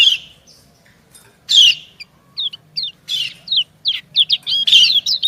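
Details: White-eye, female calling to the male as they answer each other: a sharp chirp, a pause, then a quickening series of short high downslurred notes rising into a dense twitter.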